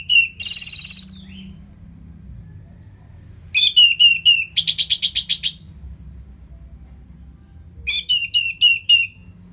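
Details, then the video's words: Ngeplong-style Orange-headed thrush song for coaxing lazy birds to sing: bright, very high chattering bursts and fast repeated whistled notes in three separate loud phrases. "ANIS MERAH Ngeplong Masteran Jahat Untuk Burung Yang Malas Bunyi Agar Lebih Gacor Selalu"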